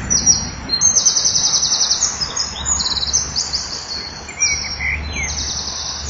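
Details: At the nest early on 29 June 2013, a male common kingfisher incubates in place of the female and deals with a pellet. Piercing high piping notes come in fast stuttering bursts, with a steady low hum underneath.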